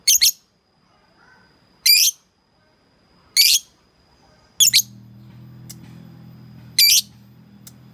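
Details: Lovebird calling a rival: sharp high shrill shrieks spaced about every one and a half seconds, with a low steady hum entering partway through.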